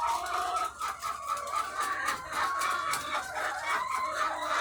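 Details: Massed egg-laying hens on a farm, thousands strong, giving rapid, irregular clucks and short squawks layered over sustained cackling notes in a restless, crowded chorus.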